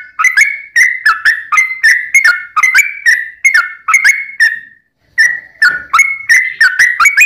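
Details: Sooty-headed bulbul in a fighting bout, long rapid 'ropel' song used as a lure so other bulbuls sing back; steady chain of liquid up-and-down whistles, one short pause midway.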